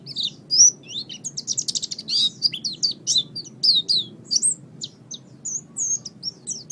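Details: Oriental white-eye singing in a master recording meant to train caged songbirds. A lively, varied twitter of high whistled slurs with a quick buzzy rattle early on, continuous over low hum.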